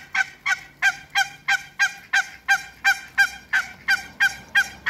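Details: Two pairs of African geese in a backyard alongside Muscovy ducks honk continuously: about fifteen loud, rich, nasal honks in steady rhythm, roughly three per second, each sharp-edged and evenly spaced.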